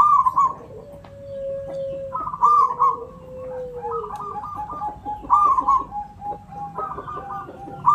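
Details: Lure song of a local Javan zebra dove: repeated rolling, trilled coo phrases, overlapped by long level and gently falling whistled notes from other birds.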